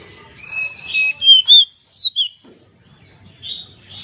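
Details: Pied bushchat, in lively full song as used for training cage birds: a short whistled phrase climbing from a steady note into bright looping, slurred whistles, then fading softer notes.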